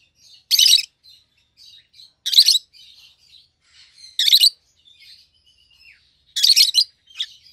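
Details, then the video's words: Rosy-faced lovebird pair, yellow and green with red heads, kept indoors: loud grating screeches about every two seconds, with quiet chattering and thin whistled notes filling the gaps. "Lovebird's Sounds - Lemon & Melon - Rosy-faced Lovebird"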